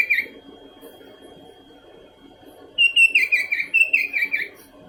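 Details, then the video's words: A longer phrase from a continuously calling sooty-headed bulbul: after a near-silent start, a rapid chain of about eight gurgling, whistled notes tumbling slightly downward, rich and liquid, with a thin constant tone in the background. "Burung kutilang berbunyi terus menerus"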